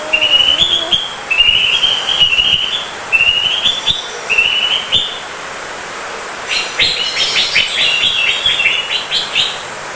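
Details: Greater green leafbird, a kept songbird, delivering repeated rising whistled phrases about once a second, followed by a dense rattling flurry of rapid chirps and trills.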